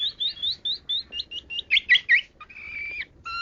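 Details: Long-tailed shrike singing a 'kaya rasa' (richly varied) song: a run of short rising whistled notes, then louder buzzy slurred phrases, ending in a long steady whistle and a lower clear note.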